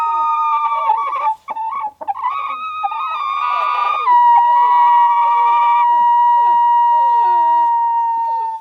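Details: Several roosters react to their first bald eagle sighting with overlapping, harsh wavering calls, then one holds a long, steady, drawn-out note for over four seconds.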